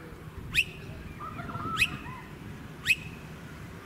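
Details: Blue-faced honeyeater in a suburban area of the Sunshine Coast, Queensland, March 2018: sharp, sharply upslurred whistled notes repeated about once a second, with softer lower warbling notes between them and faint background hum.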